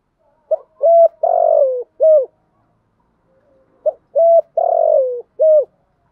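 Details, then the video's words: Spotted dove decoy cooing in thúc gù and gáy gọi styles to make wild doves respond quickly; two matching phrases of a short note, a flat coo, a long falling coo and a closing clipped coo. "Tiếng chim cu gáy mồi giọng lôi cuốn hấp dẫn đủ bài[ THÚC GÙ , GÁY GỌI ]"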